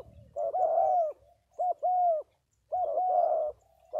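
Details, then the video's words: Spotted dove cooing loudly: long husky notes alternating with short clipped ones, pairs separated by short silences. "Cu gáy 67"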